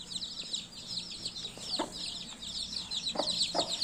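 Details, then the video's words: Many baby chicks peeping together in a dense, continuous chorus of high, thin chirps, with a few soft knocks and taps in the background. "Baby 🐤Chicks chirping sound"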